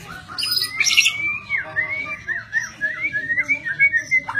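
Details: White-rumped shama, known locally as murai batu, singing a run of clear whistled phrases that swoop and dip, repeated rapidly in a rolling series, with a harsher burst at the start.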